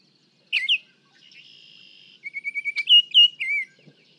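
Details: Baltimore Oriole recorded from 55 feet away in a comparison of a shotgun microphone with small and large parabolic microphones. Sharp slurred whistles and a steady buzzy tone lead into a quick series of short notes and clear, rich whistled phrases.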